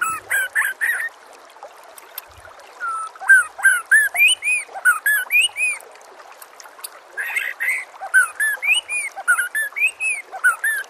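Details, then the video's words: Master song of the white-rumped shama, meant to make kept birds respond and sing: clear arched whistles mixed with higher chirps, repeated about every quarter second in two long runs with a brief pause between them. "SEKETIKA PASTI NYAUT dan GACOR bila murai batu anda dengar suara MASTERAN burung seperti ini"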